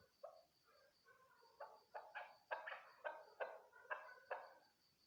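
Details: Female chukar partridge calling; a series of harsh, clucking chuk notes in the mid range, building into louder repeated bursts about twice a second, with a steady high electrical whine in the background.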